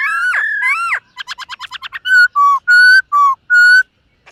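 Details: Morning voice training by a silver-eared laughingthrush: twisting warbled phrases, a quick burst of about ten clipped notes, then five loud pure whistles alternating between higher and lower pitch.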